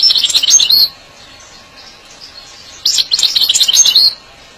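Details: European goldfinch song used to excite and song-train goldfinches: two bursts of fast, liquid twittering and tinkling high notes, each under a second long, separated by a quiet pause.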